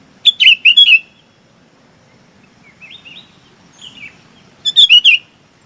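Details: Sooty-headed bulbul calling its flock, loud slurred chirp phrases at the start and end, with fainter distant answering notes in between.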